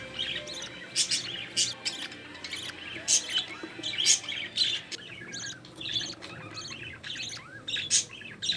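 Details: Growing budgerigar chicks of a green-line pair, including an opaline-split nestling, fed by their mother in the nest; short sharp rasping squawks and chirps repeat irregularly, with softer chatter between them.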